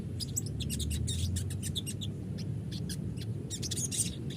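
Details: Crested jay lure recording, played to make the bird sing eagerly and answer back: rapid series of sharp, high buzzy chirps in irregular bursts, some clustered, over a steady low background hum.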